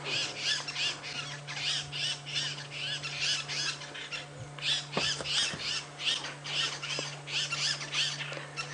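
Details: Buffalo weavers chatter nonstop at a Djuma-area safari lion sighting at sunset, late October, a dense run of harsh, scratchy squawks about three a second over a low vehicle engine hum.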